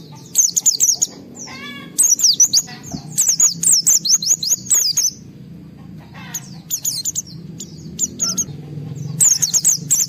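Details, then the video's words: Highly excited white-eye, heard to provoke other white-eyes into singing, delivering bursts of high, rapid chattering whistles separated by pauses, with a brief lower buzzy chirp and soft low background rumble. "Pleci Mental baja EMOSI Tinggi ampuh mancing semua pleci segera gacor buka paruh"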